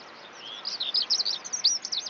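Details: Eurasian skylark song fragment: a quick run of high twittering, slurred notes that rise and fall in a dense, warbling sequence.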